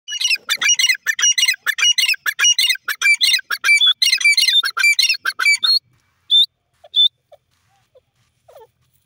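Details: Grey francolin, known locally as teetar, calling loudly: rapid series of harsh, ringing multi-note phrases repeated over about six seconds, then a few isolated sharp notes and silence.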